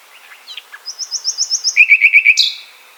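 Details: Common Nightingale in Poland giving a rich, passionate phrase: quiet chirps, then a fast series of high repeated notes, dropping to five louder lower strikes, and finishing in a sharp, harsh buzzy burst.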